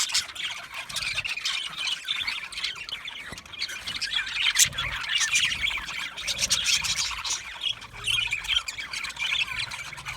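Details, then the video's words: Budgies from Australia keep up a constant, gentle chirping, a sound of contentment and contact: a rolling wash of overlapping squeaks and warbles that swells in the middle, with low background rumble. "Budgie parrot chirping sounds"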